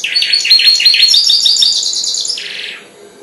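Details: Four-month-old goldfinch hybrid that has just started to sing: a loud, rapid twittering run of high chirps and buzzy notes, ending in a softer, lower trill.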